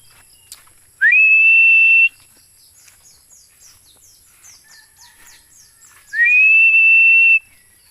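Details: Philippine eagle producing two long, shrill whistles about five seconds apart, each rising quickly then held flat for around a second; faint chirps from small birds fill the gap between them.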